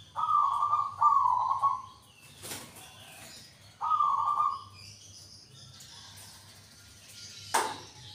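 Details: Local zebra dove cooing in short rolling bursts, three pulsed notes in quick succession, then a single burst after a pause, broken by two noisy rustling or wing-flap sounds.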